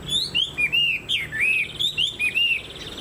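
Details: Vietnamese cage-kept Chinese hwamei with a fanned tail and tall stance, pouring out a steady string of rich, swooping whistled notes, repeated at a quick, even pace.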